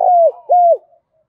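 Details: Spotted dove giving a 'thúc' style coo, played as a lure to draw wild doves and set decoy birds calling: two loud, flat, drawn-out hooting notes, each dipping at the end, with a short gap between.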